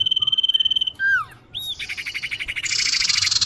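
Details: Common iora calls for luring birds: a steady trilled whistle, a loud downward-swooping note, a short arched whistle, then a long fast buzzy rattle growing harsher and hissier.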